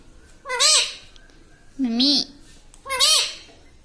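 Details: Pet parrot talking, imitating the word "Mummy": three loud, nasal, wavering harmonic utterances spaced about 1.2 seconds apart, each rising and falling in pitch, over a faint low background hum.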